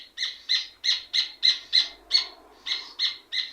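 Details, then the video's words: Rufous hornero song: strident, piercing notes repeated rapidly, around three per second, each note bright and ringing with a harsh edge, with one short gap midway and faint low background noise. "Red ovenbird sound effect - Rufous Hornero sound effect"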